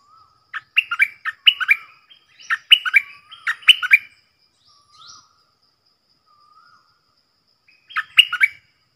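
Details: Stripe-throated bulbul decoy song for training young birds and luring wild birds: a long chattering series of rapid warbled notes, soft low whistles in a quieter middle stretch, then another brisk burst.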